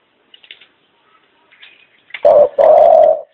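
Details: Faint thin chirps of small birds drift in first, then a dove gives one low coo pair: a quick short note and a longer, level, resonant coo.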